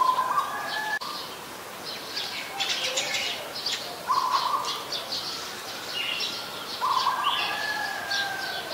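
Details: Streak-eared Bulbul in Ubon Ratchathani, Thailand, on 22 July 2022, gives short, slightly harsh mid-pitched notes in bursts a few seconds apart, among scattered higher chirps and twitters from nearby birds.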